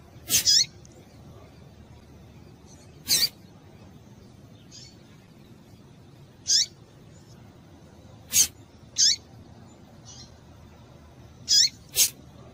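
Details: Call of a female rusty-collared seedeater, meant to get males singing: brief piercing high chips, single or in quick pairs, spaced every couple of seconds, with occasional faint softer notes against a low steady hiss.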